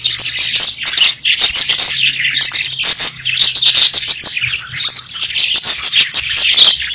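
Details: Several pet budgies singing together, a busy stream of high twittering warbles, bright squeaks and rapid clicks layered over one another without a break.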